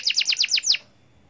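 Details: Energetic 'gacor' canary giving a short burst of six quick, bright downward-sweeping notes at an even pace, then falling silent.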